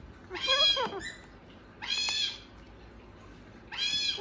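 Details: Gang-gang cockatoo talking: three short, nasal, harmonic-rich utterances of about half a second each, spaced about one and a half seconds apart, some with wavering, dipping pitch, over a quiet background.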